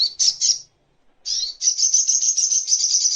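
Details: Master recording of the crimson sunbird (sogok ontong) used to train songbirds: three quick high chirps, a half-second pause, then a steady piercing fast trill to the end.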